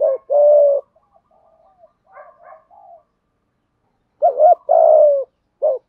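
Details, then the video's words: Spotted dove, thổ pha đồng style, cooing to lure other doves: a long steady coo, then faint quiet murmuring notes, then another short and long coo sequence. "Tiếng chim cu gáy kích bổi nhanh nổi gù, tiếng thúc gáy gọi bổi nhanh về cội"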